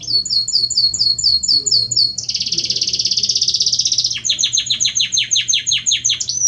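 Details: Belgian canary male singing to its female: quick repeated high chirps, a dense buzzy trill, then a row of loud descending notes, finishing on a clear whistle.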